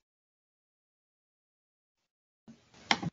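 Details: Near silence for most of the clip, ending with a brief burst of indistinct sound.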